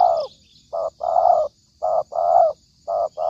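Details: Spotted dove calling as a trapping lure: mellow, low coos in short bursts alternating with longer drawn-out coos that slide downward at the end, repeated about once a second over a faint steady high hiss.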